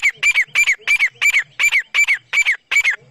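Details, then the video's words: Teetar, a partridge, calling while two birds fight. Loud, harsh paired notes repeat rapidly and rhythmically, nearly three each second, with no other sounds. "Teetar Fight 2026 | Zabardast Teetar Ladai"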